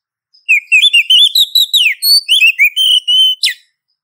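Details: Oriental magpie-robin, a female in breeding condition calling to a male, used as a lure for males: a dense phrase of rapid, varied whistled notes. Some notes slur up and down, with a sharp burst at the end, all high-pitched and clean.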